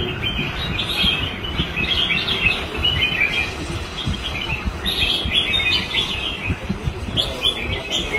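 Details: Captive wild-caught red-whiskered bulbul showing its combative song: bright, chattering phrases of quick whistled notes, repeated in bursts every second or so, over a steady low rumble of background noise.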